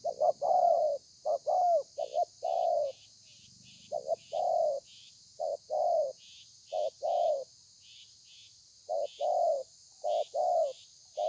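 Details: Spotted dove giving thổ pha coos with lèo and dặm variations, 30/11/2020; clusters of low coos, short notes followed by drawn-out ones, with brief gaps, faint high chirps and steady background hiss.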